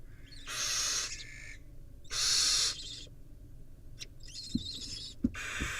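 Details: Barn owl nestlings squabbling in a tug-of-war: two loud rasping hiss-screeches, then quieter broken hissing and a few sharp knocks and taps.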